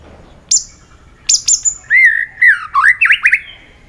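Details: White-rumped shama singing competitively with many voices: two sharp, very high notes open the song, then rich, looping whistles that swoop up and down in quick succession.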